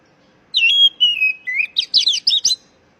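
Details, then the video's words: Oriental magpie-robin, calling to coax stressed young birds back into song: long pure whistles drop step by step, then give way to six or seven quick, sharp, buzzy notes. "panggilan kacer bahan stress macet bunyi"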